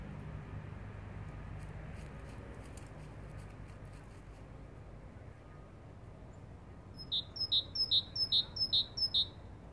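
A great tit sings a quick, bright run of two-note phrases, high then lower, near the end, after several seconds of quiet background hum.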